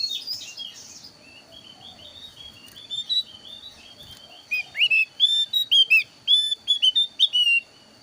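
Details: Thin-browed Javan grey-throated white-eye song used as a trapping lure to make birds sing along. Soft, quiet warbling whistles at first, then from midway a loud burst of rapid, high, ringing slurred notes.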